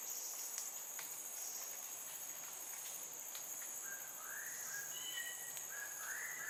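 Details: Fledgling Crimson Sunbird in Singapore calling sweetly to its parents before its mother feeds it; soft slurred chirps arrive late in the clip, repeated several times, under a loud continuous insect whine.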